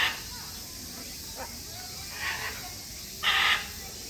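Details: Great green macaw at Chiba Zoological Park, recorded 4 September 2022: a few short harsh squawks amid background murmur, the loudest a broad rasping burst near the end.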